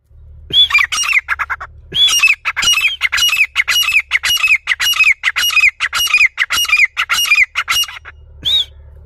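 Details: Grey francolin calling loudly at close range, used as a hunting call: harsh, ringing, rapidly repeated phrases of squawky notes, each phrase starting with a high clear note, running in bursts for about nine seconds.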